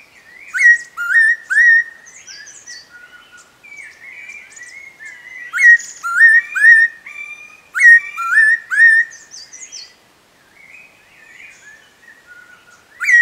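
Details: Sharp whistled calls of a spotted laughingthrush at Eaglenest Wildlife Sanctuary, rising slurred notes delivered in bursts of three to five, separated by quieter twittering and short pauses.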